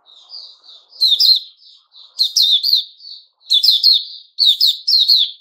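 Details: White-rumped shama singing, recorded 29 August 2021: soft whistled notes alternate with louder grating, chirping bursts, about one phrase per second.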